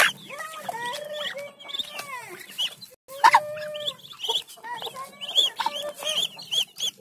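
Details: Muscovy ducklings, one week to one month old, at morning feeding, peep constantly, a chorus of high, bending whistled notes overlapping one another.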